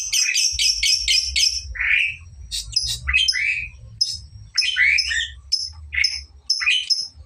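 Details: Lovebird practising its ngekek song, the trills now getting longer: a quick burst of five or six rapid high chirps, then scattered squeaky notes and lower upslurred squawks, with a faint low hum underneath.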